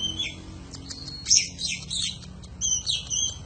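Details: Master recording of an Oriental magpie-robin singing profusely: a dense run of high chattering notes and bright squeaks, followed by clear level whistles near the end, with soft low background noise.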